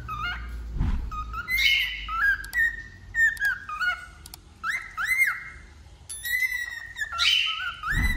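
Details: Wild-type male cockatiel singing: a run of whistled notes, mostly flat or gently rising, some with sharp upswept or hooked ends, in phrases with short pauses, with a faint low rumble underneath.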